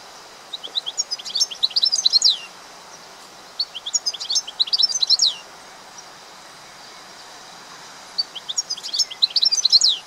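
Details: European goldfinch delivering short bursts of sparkling, liquid twitters, each phrase about two seconds long and separated by brief pauses, three phrases in all against quiet background.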